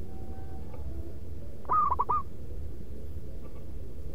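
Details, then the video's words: A single loud zebra dove phrase of the rhythmic lure type: a quick string of four or five sharp, bubbling coos ending in a rolled note, then quiet with a constant low-pitched background drone. "Perkutut Pikat Paling dicari SUARA LANTANG MANGGUNG BERIRAMA"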